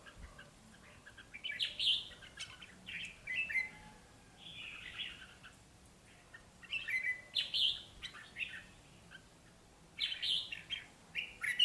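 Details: Red-whiskered bulbul decoy birds, two of them caged, trading rich, jumbled warbled phrases in clusters separated by short pauses, sharp notes rising and falling over a quiet outdoor background.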